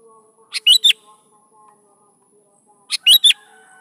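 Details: Sooty-headed bulbul song meant to set young bulbuls singing: two matching phrases about two and a half seconds apart, each a short soft note then two strong liquid whistles sliding down, faint hum underneath.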